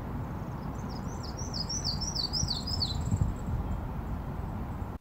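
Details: Yellow-throated Warbler of the central and eastern United States sings about eight high, clear slurred notes stepping down in pitch ('neater neater neater, I'm so neat'), over a steady low rumble of background noise.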